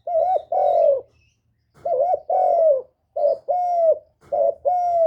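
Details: Spotted dove kept as a decoy bird, calling to rouse other captive doves. Repeated two-part cooing phrases: a short wavering coo, then a longer smooth falling coo, with pauses of about a second between phrases.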